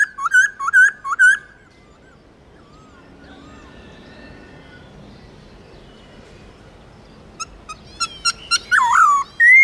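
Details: Black-throated laughingthrush song: a quick burst of rolling whistles, a long near-silent gap with faint notes, then rapid short calls building into a loud swooping whistle at the end.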